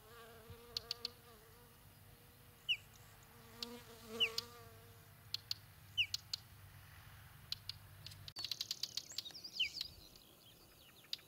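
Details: Whinchat on Exmoor giving a few thin, falling whistled notes mixed with dry clicking ticks, while a fly buzzes close by through the first part.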